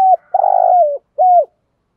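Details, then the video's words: Spotted dove decoy bird calling to provoke wild doves into answering, a loud clear coo: short note, long buzzy vibrating middle phrase dropping at the end, then a brief final coo, in quiet surroundings. "chim cu gáy mồi thúc rút bổi gáy theo rất cao"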